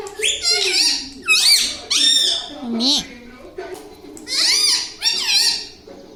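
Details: A talking pet parrot at home repeats high, nasal, arching squeaky syllables in uneven bursts, about every second, while a person speaks softly in the background.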